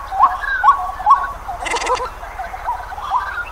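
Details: White-breasted waterhen in Pingtung County, Taiwan, on 31 December 2021, giving short, croaking notes about twice a second, broken by a brief burst of rustling, over a low background hum.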